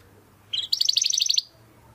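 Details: Domestic canary with a crystal-voiced song style, kept as a master bird for tutoring competition songbirds: one brief, bright, high trill of rapid, evenly spaced notes lasting under a second, preceded by a short chirp, over quiet low hum.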